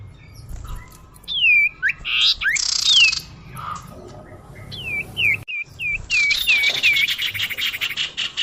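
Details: Common iora lure call: looping whistled notes falling then rising, harsh buzzy bursts, then a steady series of about five repeated slurred whistles over a fast rattling trill.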